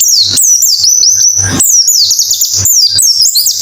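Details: White-eye singing in a recording used as therapy to prompt singing: continuous high, thin twittering with sweeping whistles rising and falling, one brief noisy gap midway, low electrical hum beneath.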